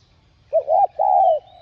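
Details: Single two-part spotted dove coo, from a recording for stirring caged birds to coo: a short note swelling into a wavering rise, then one long, even, slightly falling hollow note.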